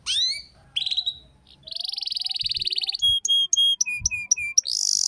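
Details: Canary song used as a lure for young canaries learning the ngeriwik style: high, down-slurred notes, then a long buzzy trill, then a series of clear flat whistles and short buzzy bursts.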